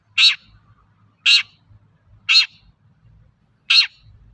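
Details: Long-tailed shrike vocalising as a lure to prompt other shrikes to sing, giving four loud, rasping notes spaced roughly a second apart over a steady low background hum.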